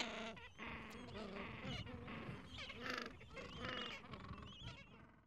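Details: Gentoo penguin chicks, around two weeks old, pressed under their mother against cold wind. A busy mix of nasal squawks and high thin peeps overlaps throughout, fading near the close.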